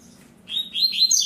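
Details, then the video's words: Brief phrase from a caged double-collared seedeater in the tui-tui zel-zel style: after a moment of quiet, buzzy high notes start abruptly and run together into a rising, trilled stretch. "COLEIRA TUI TUI ZEL ZEL"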